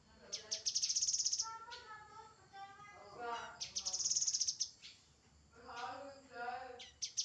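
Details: Grey-headed canary-flycatcher singing two long, very high rattling trills a few seconds apart, mixed with lower stacked tonal phrases and some faint speech-like sounds.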